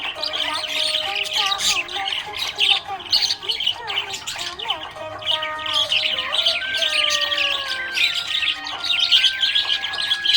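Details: Pet budgerigar, described as happy, giving dense bursts of bright, high chirps and short squawks over steady background music with held tones.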